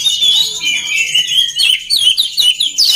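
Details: Song of an oriental magpie-robin, played to build up other magpie-robins so they sing well: high whistles with rapid slurred notes and chattering chirps, broken into short bursts throughout three seconds.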